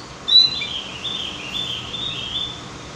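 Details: Javan grey-throated white-eye song as a lure to prompt singing: one sharp high note, then a soft, rather distant run of flowing whistled warbles over a light background hiss.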